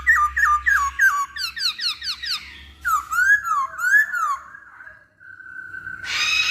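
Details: Lure song of a masked laughingthrush, meant to draw song from other birds: rapid runs of falling whistled notes about three per second, a pair of swooping rising-falling whistles, a level held tone, then a harsh burst.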